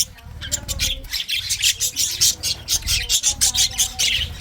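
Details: Budgerigars chirping and singing, a dense run of quick, scratchy high chirps and warbles repeated in rapid bursts, with a faint low hum beneath.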